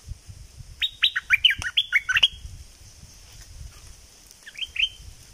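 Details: Southern Thai bulbul in double-style song, a quick run of six or so bright slurred whistles followed after a gap by a shorter three-note phrase; a steady high hiss runs throughout.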